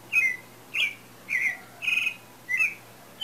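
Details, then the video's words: Loud pale-breasted thrush song before breeding season: five rich whistled phrases, about one every half second, some warbled, in a quiet setting. "Sabiá Branca Cantando Afinado"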